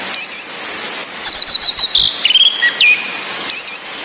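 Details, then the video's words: Female orange-headed thrush ngecis calls, used as therapy to raise breeding drive in males that only twitter, mixed with a male's relaxed song over rain sound: sharp high whistled notes, slurred glides and a falling whistle, in short bursts over steady hiss. "ANIS MERAH BETINA NGECIS‼️ COCOK UNTUK NAIKAN BIRAHI BURUNG YANG MENTOK DI NGRIWIK SAJA"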